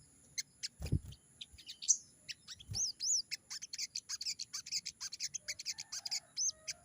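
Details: Sogon from the wild in full, energetic song, rapid high chirping notes tumbling one after another, broken by a pair of arched whistled slurs, with a few low knocks and handling bumps early on.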